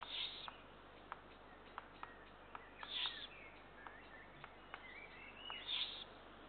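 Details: Eurasian eagle-owl chicks being fed on 2 June 2023, giving harsh, hissing begging calls roughly every two and a half seconds, with soft chirps and sharp clicks between them.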